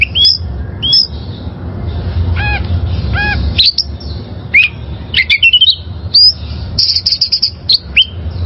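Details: Wild oriental magpie-robin song for training caged birds: bright upward-curving whistles, a pair of softer layered notes, then a rushed run of scratchy and whistled phrases with a low background hum.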